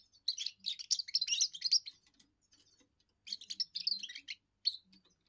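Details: Young European goldfinch's first song, a territorial and courtship song: two dense bursts of high, jangling twitters and chirps with a short pause between them and a lone note at the end.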